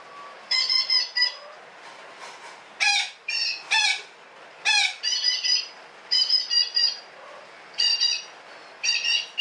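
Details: Parakeet giving long chattering calls: harsh, nasal, squawking notes with stacked harmonics, grouped in bursts of two to four and repeated throughout, with short quiet gaps; a brief voice follows.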